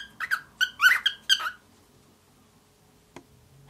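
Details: Seven-month-old male grey cockatiel, aviary raised, kept as a pet indoors, learning to talk: a burst of chattery warbled and squeaky syllables for about a second and a half, then quiet.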